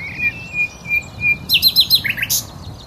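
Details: A common nightingale sings at Cowpen Bewley, giving a short phrase of a few soft, sliding whistles, then a fast burst of bright, rattling notes that drop in pitch.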